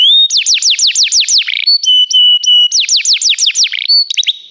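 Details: Canary song used to teach canaries: rhythmic falling sweeps repeated several times a second, interrupted by a steady flat whistle, then the sweeping phrase returns.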